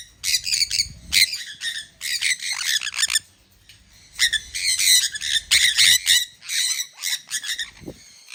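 Sun conures give harsh, shrill screeching squawks in rapid, uneven bursts.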